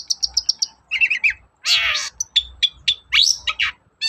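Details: Morning song of a long-tailed shrike played to provoke other shrikes to sing: varied burst of high trilled notes, rasping harsh phrases and sharp chips in rapid, changing sequence.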